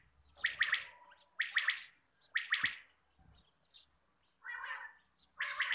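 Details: Harsh, stuttering quail bursts used to draw in birds for hunting, repeated about once a second with quieter scratchy notes between and faint low knocks.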